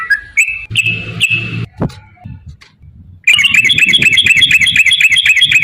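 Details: Yellow-vented bulbul ropel song for stimulating caged birds: a few scattered whistled notes and a low thud, then after a near-silent gap a dense, rapid burst of chattering whistles repeated about four times a second.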